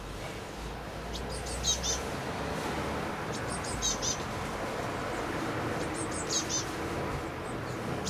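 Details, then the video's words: Blue tits at a nest box, recorded 8–9 May 2020: three clusters of very high, thin, rapid chirps, each a quick run of three or four notes, spaced a couple of seconds apart over a steady low background hiss. "Blaumeisen am Nistkasten"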